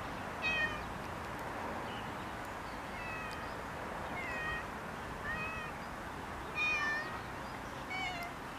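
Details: Common mynas (Acridotheres tristis) among ragwort in Kiryat-Yam, Israel, give short, nasal, slightly meow-like calls, some bending up or down in pitch, repeated every second or so over a steady background hiss.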